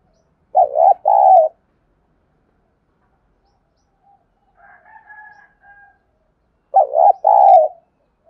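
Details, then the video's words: Spotted dove decoy calling to make wild birds coo: a rapid double coo phrase repeats after about six seconds of quiet, with a softer, more distant coo heard in the gap. "Anh em đam mê phải mở vdeo tiếng cu mồi thúc bổi này thì chim mới xiêng gáy nhá"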